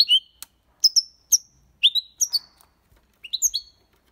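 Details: European goldfinch in the Málaga style used to stimulate young birds: scattered bright, liquid chirps and short upward-flicked twitters in small clusters with brief gaps, plus faint clicks.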